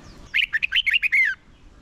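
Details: Red-whiskered bulbul decoy singing a contest-style fighting song to lure and train birds; one clear phrase of seven bubbling, slurred whistled notes, each rising and falling, over about one second.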